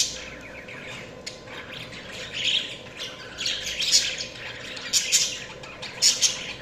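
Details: Budgies chatter with scratchy warbling that builds in the second half, sharp squeaky chirps punctuating it roughly once a second, over a quiet steady hum.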